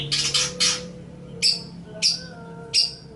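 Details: Long-tailed shrike, cendet or pentet, in a training master recording: a few harsh scratchy bursts followed by spaced sharp high chips about every half second, with a faint tonal hum in the background.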